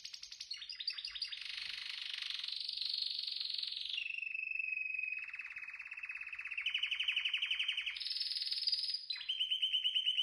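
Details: Varied canary song made of successive rapid trills: a rolling high section, a long lower steady trill, then a step up to a loud, high pulsed trill and a final mid-pitched one.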